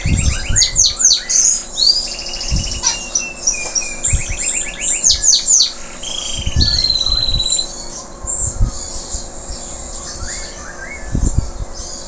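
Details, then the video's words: Song of a local canary just past moulting, still in full voice: varied phrases of rapid trills, buzzy rattles and sweeping whistles, switching pattern every second or so, over soft low background noise. "Kenari lokal selepas mabung,,Masih Aja Gacorr"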